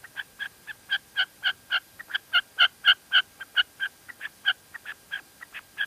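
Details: A fast run of sharp, harsh notes from a female red-legged partridge in La Mancha, Spain, with louder notes clustered in the middle and weaker ones at the start and end.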